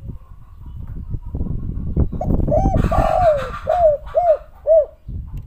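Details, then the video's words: Spotted dove (tekukur) coos in the 'kuk 3' style. Loud low-pitched rumbling and clatter dominate the first half, then fade as clear, soft hooting notes follow, the last three evenly spaced. "derkuku || tekukur kuk 3 super langka burung sultan pembawa hoki suara syahdu gacor dor"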